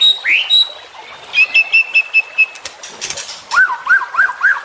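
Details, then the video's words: Juvenile white-rumped shama in a song-training recording; a clear upslurred whistle and steady tone, a run of even repeated chips, then a series of arched whistled notes repeated about four times. "MASTERAN Trotolan Murai Juara Supaya Cepat Rajin Bunyi & Gacor"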